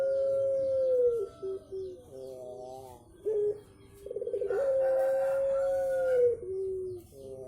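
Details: Puter pelong dove giving a strange call: long, sustained mid-pitched coos with harmonics that swell and fall, broken by short stuttering notes and brief pauses, over a quiet background hiss.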